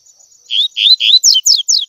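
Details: Double-collared seedeater, tui tui song style for training young birds: three clear upslurred whistles followed by three quick downslurred whistles, evenly spaced and loud against a quiet background.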